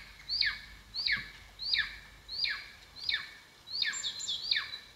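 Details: Golden eagle calling at a nest in Estonia, captured by a live camera in 2022: thin, clear whistled notes that drop steeply, repeated about every 0.7 seconds over a steady background hiss.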